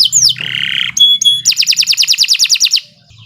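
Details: Canary singing a training lure phrase: a falling whistle, a buzzy harsh note, two pure whistled tones, then a quick run of about a dozen repeated sweeping notes.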